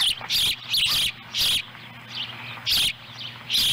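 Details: Ospreys at their nest in Lolo, Montana, in July 2017, the female having delivered a small fish for the young to eat. Shrill, high chirp bursts repeat in uneven bouts, with a low electrical hum underneath.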